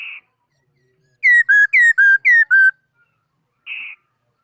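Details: Laughingthrush song, 2018: a short flat note, then six loud whistles alternating high-falling and lower-level, quickly repeated at about four per second, and a final flat note.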